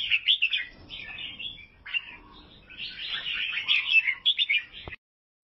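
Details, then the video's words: Albino sooty-headed bulbul in Vietnam: rapid chirpy phrases, a short gap, then a long rolling stream of bright twittering notes that stops abruptly. "KICAUAN BURUNG KUTILANG ALBINO"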